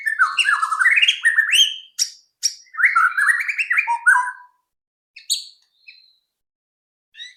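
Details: White-rumped shama singing as a lure to get shamas singing soon: tumbling cascades of rising and falling whistles with buzzy high accents. Then comes a pause with a few isolated high notes.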